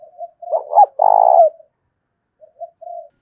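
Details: Spotted dove acting as a decoy, cooing in thổ đồng style to urge combat: a quick stuttered lead-in, a long loud vibrating coo, then two soft short coos.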